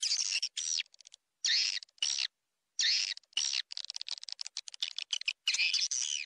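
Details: Swiftlet attraction call: raspy, high twittering chatters in half-second bursts, cut by sudden gaps, with runs of rapid dry clicks in between.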